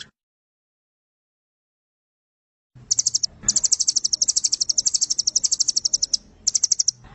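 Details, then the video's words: Velvet-fronted nuthatch, 'Doraemon' type, singing a long-firing tutor song. After silence, a shrill, very fast rattle of sharp high notes runs for about three seconds, followed by a shorter burst. "Masteran burung Rambatan Doraemon nembak panjang fariasi terbaru"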